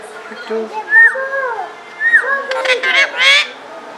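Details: A talking pet parrot, said to speak Pashto, gives drawn-out, falling whistled glides, then rapid, raspy, speech-like syllables.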